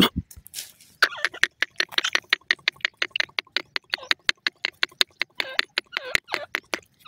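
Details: Grey francolin, a Sindhi teetar, feeding: rapid series of short broadband clicking notes with several harsh rising-falling squawks in between, loud and close.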